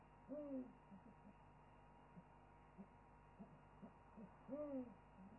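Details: An owl chorus picked up by a wildlife webcam: a short arched hoot, then soft scattered low notes, and a second arched hoot near the end over quiet hiss.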